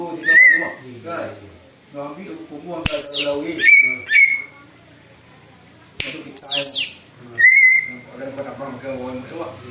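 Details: Greater green leafbird song used for luring, the bird reportedly mimicking an eagle: scattered bursts of clear sustained whistles, two shrill descending sweeps and sharp clicks, with harsher low chatter between phrases.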